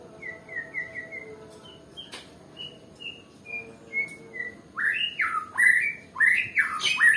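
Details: Nias white-rumped shama, said to be reluctant to sing, gives a run of short, evenly spaced whistled notes at a steady pitch, then breaks into loud, rapid, warbling phrases with rising and falling sweeps.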